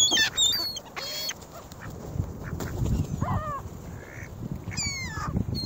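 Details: Ring-billed gulls at North Lakes competing for bread and crackers around a phone set in the flock: brief clusters of shrill, downward-slurred cries at irregular intervals, over persistent low rumble.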